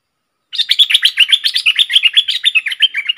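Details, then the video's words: Bulbul kept as a decoy, August 2021. It sings a continuous, energetic stream of fast chattering, bubbling notes, roughly four per second and loud throughout. "เสียงนกดอกแตงEp.73 นกต่อสายโหด(เจ้ามณี) Suara merbah lekir gacor"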